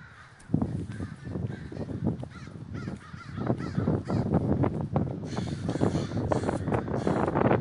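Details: A large gathering of crows in a flock at Davis, California, many birds cawing at once in a dense, overlapping chorus of harsh calls that grows fuller and louder after the first half second and continues without pause.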